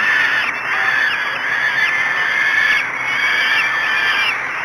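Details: Falcons at their Great Spirit Bluff nest at 05:56 on 24 May 2016, feeding the chicks for the first time. Hoarse, down-slurred calls repeat several times above a constant hissing background.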